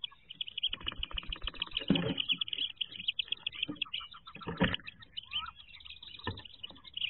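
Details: Inside a wood duck nest box in 2023, a brood of ducklings preparing to jump out: steady high-pitched peeps from many chicks, with rustling and a few sharp knocks.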